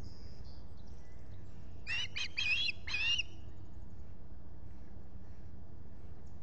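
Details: Brief osprey calling at a Finger Lakes, US nest on 23 July 2021 during a visit: four quick whistled chirps midway through, surrounded by low rumbling background noise and a faint high note at the start.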